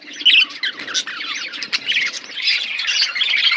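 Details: Budgerigars in a forest aviary produce a dense, scratchy chorus of chirps and harsh squawky twitters, many birds overlapping continuously.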